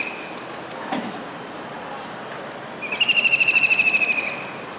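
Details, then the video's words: Kingfisher on a rooftop antenna in Surat, Gujarat, during a rainy July 2019 day. After a quiet stretch with faint distant sounds, one loud, high, fast rattling trill lasting about 1.5 seconds ends the recording. "Kingfisher Bird's Voice"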